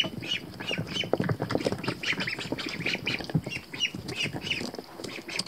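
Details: Young ducklings, thought by the owner to be American Pekins, swim in a tub and give a steady stream of high, overlapping peeps and squeaky calls, several every second, with splashing water underneath.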